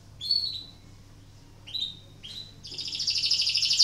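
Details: Canary in breeding condition, singing to spur other canaries into song; three short, separated high chirps followed by a loud, rapid, rattling high trill that continues to the end.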